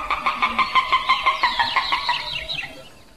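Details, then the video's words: Common moorhen calling: a fast series of about a dozen even, clucking notes, roughly six per second, fading away at the end with a few higher, thinner notes over a faint background hiss. "Камышница. Голоса птиц"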